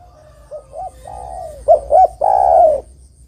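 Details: Spotted dove, a lure recording used to draw wild doves into answering: a soft low coo, two short hooted notes, then one long, loud, slightly falling coo, all clean against a quiet background.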